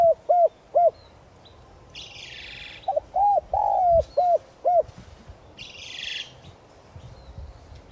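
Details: Decoy spotted dove giving its 'gáy gọi' calling coo in the clear 'giọng son' voice style, used to lure and stir wild doves: a run of short, hollow hooted notes, some paired, one drawn out longer, with two brief hissy bursts between phrases.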